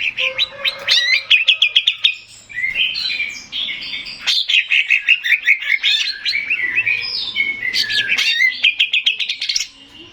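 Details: Male greater green leafbird singing to lure other birds into answering: a loud, nonstop stream of varied whistles, sharp clicks and chattering trills with quick rising and falling phrases.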